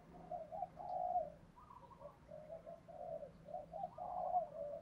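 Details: Spotted dove in the Thổ Pha đồng voice, used to call wild doves home: a run of soft, muffled coo phrases rising and falling over about five seconds against a low steady hum.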